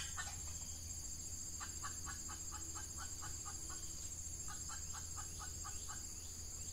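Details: Red junglefowl, with an F1 hybrid decoy hen luring an old wild male during the Ramadan mating season: bursts of quick low clucks in runs of eight to ten, separated by pauses, over a constant shrill background drone.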